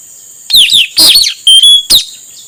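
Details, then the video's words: A male Blue-rumped Parrot, recorded to lure wild ones, gives five shrill, harsh whistles in a second and a half, falling and wavering notes with one level tone, over faint background hiss. "Suara burung puling atau nuritanau jantan, untuk pancingan nuritanau liar."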